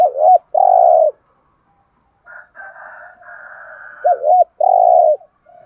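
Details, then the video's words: Decoy spotted dove cooing in thúc gù style to pull in wild doves. A short doubled note and a long coo come twice, separated by a softer, rougher buzzy phrase. "Tiếng chim cu gáy kích bổi nhanh nổi rất nhanh nổi/ chim cu gáy mồi chai thúc gù bài bản giọng hay"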